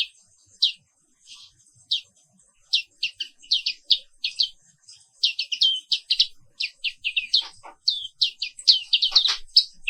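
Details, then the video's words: Morning song of a Papua wiklus black-capped white-eye: scattered high chirps at first, then growing into a dense, rolling run of sharp twittered notes that carries on almost without pause. "Suara Terapi Pagi Pleci Papua Wiklus"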